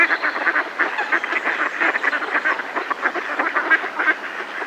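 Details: A Mallard flock held in a decoy gives alarm calls at close range, many harsh quacks tumbling over one another in a steady, restless din.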